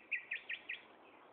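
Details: Afternoon song of a common nightingale at Gaasperzoom, 16 May 2012, 15:30: four crisp, high, slightly buzzy notes repeated about every fifth of a second, then a quiet background hiss.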